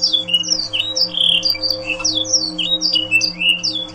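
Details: Sweeping whistled notes from a Yorkshire canary used as a training song for other canaries, slurred downward and upward phrases about two to three per second, low hum tones beneath.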